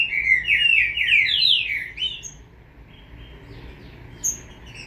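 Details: Chick of the green-winged saltator producing a fast series of rising-and-falling slurred notes for about two seconds, then near quiet with one faint high note.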